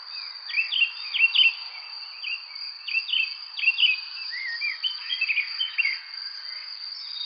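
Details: Bird chirping in a quick series of sharp, downward-slurred high notes, in bursts with short pauses, over a steady high-pitched insect drone.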